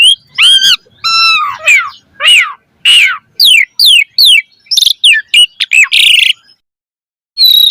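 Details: Asian pied starling delivering a full, varied gacor song for training caged birds: a series of harmonically rich slurred whistles repeated about every half second, ending in harsh squawks and a brief pause.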